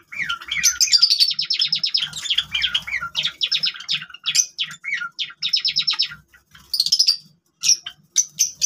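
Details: Java sparrow song from captive birds: long runs of rapid clicking notes strung together, mixed with gliding whistled slurs and ringing high notes, continuing with brief breaks.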